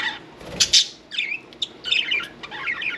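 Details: Indoor pet budgerigar near its bath makes scratchy, twittering chatter mixed with sharp clicks and brief fluttering or splashing noises.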